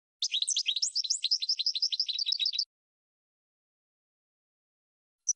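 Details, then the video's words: European goldfinch song used to train cage birds, one rapid, tinkling phrase of rising chirps and a rattling run lasting over two seconds, then silence and a faint final note. "Chardonneret 12h Goldfinch (Training Song)"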